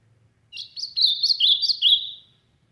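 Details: An ultramarine grosbeak in Brazil's sertão singing loudly: one rich, warbled phrase about two seconds long, stepping down through clear sweet notes, in an otherwise quiet setting.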